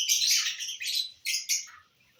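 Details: Lovebirds eating corn give a sustained harsh screeching chatter followed by two short sharp squawks, then quiet.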